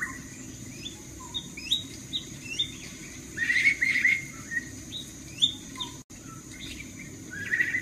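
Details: Kacer, the black-throated magpie-robin, lure sound intended to provoke a reply: scattered sharp whistled notes building into a louder warbling run around three to four seconds, then more spaced chirps and a final bright phrase, with a constant background hum.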